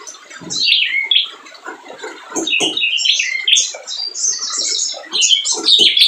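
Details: Lively spiderhunter singing aimed at provoking reluctant birds: clear whistled notes dropping in pitch, then busy runs of high twittering chirps that grow louder and faster, with sharp clicks between phrases.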